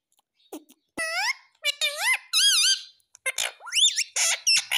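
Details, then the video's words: Pet parrot imitating speech, saying "mummy" indoors: harmonic, wavering voice-like syllables with rising and dipping contours, several short phrases with brief pauses, some squeaky notes near the end. "Mummy Mummy bolne wala tota"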